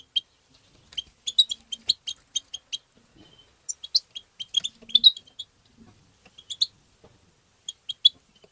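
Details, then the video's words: Goldfinch singing in the tabta style to stimulate goldfinches, with crisp high chirps delivered about twice a second in uneven runs, and denser twittering clusters in between. "ندهات تبتة حسون مقنين بتبتات وتغريد الحسون بتبتة مجنونة"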